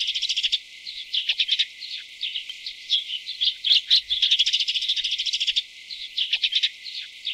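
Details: High twittering of tree swallows during chick feeding, coming in repeated bursts of rapid, sharp chirps separated by short pauses, with the densest chatter in the middle.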